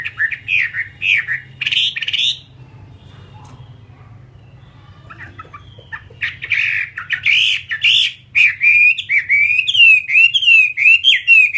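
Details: Fighting Chinese hwamei gives rough whistled notes, falls quiet for several seconds, then resumes with harsh bursts before a fast string of clear, warbling whistles.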